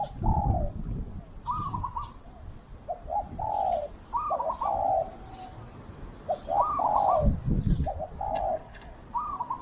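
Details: A spotted dove serving as a decoy to attract wild birds gives rhythmic coo phrases: a stuttered pair of short notes, then a smooth falling coo, repeated four times amid light handling noise and low rumble.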